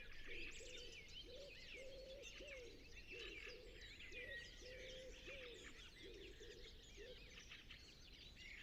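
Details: Low, soft common wood pigeon coos repeat in a steady rhythmic run beneath a busy chorus of high, twittering songbirds in a nature reserve at sunset.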